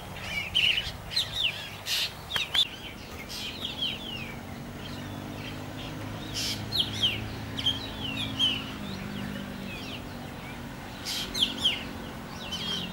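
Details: A juvenile black drongo keeps up a run of scratchy notes and brief looping chirps, clustered in bouts across the recording, with a background low drone.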